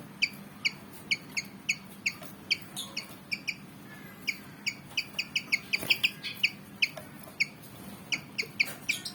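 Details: Javan fantail, black and white, about 19 cm, eager to fight, giving short sharp chirps in quick irregular series, each note a high double-banded tick, with a steady low hum underneath.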